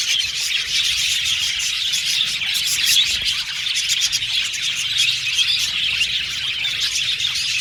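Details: Budgerigars chirping, unbroken chatter of high trilling and twittering calls from a lively group, even in loudness throughout.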